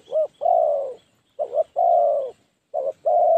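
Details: Spotted dove decoy luring wild doves into a trap, 'phá lúa' style: a short coo, then a long hoarse one, three times, the short notes sometimes doubled, faint high chirps in the distance.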